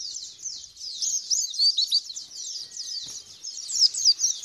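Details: White-eye song used as a lure to make a kept bird respond, sing in the wild style called ngalas and burst into full song (bukpar); a rapid, unbroken, high-pitched twittering chatter of dense squeaky notes with no pauses.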